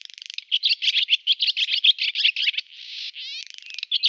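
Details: Male barn swallow in full song: a string of quick twittered notes, then a harsh buzzy rasp and a fast clicking rattle, ending with more twitters.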